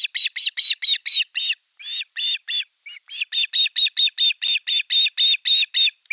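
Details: Osprey nest-camera sound from Satakunta, western Finland, 5 August 2024, as the elder chick assaults its younger sibling at a fish delivery; a loud, rapid run of shrill harmonic yelps, briefly pausing midway before resuming.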